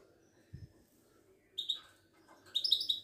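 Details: Moroccan Widani goldfinch, a kept songbird, producing two high twittering bursts, the second longer and richer, after a soft low knock near the start.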